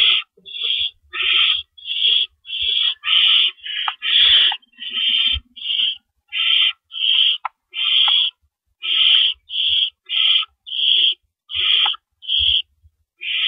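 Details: Owls at their nest in early April 2012 before dawn, with rabbits being delivered and removed; a long run of about twenty rasping, hissy screeches, some overlapping, with scattered low thumps from movement.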